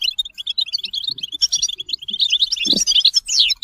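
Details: European goldfinch singing a fast, tinkling twitter of short high chirps and buzzy trills, closely packed and continuous, with a rising sweep near the end and a soft low thump partway through.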